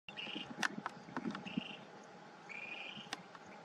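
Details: Clark's grebe at its floating nest gives three short, high, slightly buzzy notes about a second apart, the last rising a little, over steady background hiss and scattered clicks.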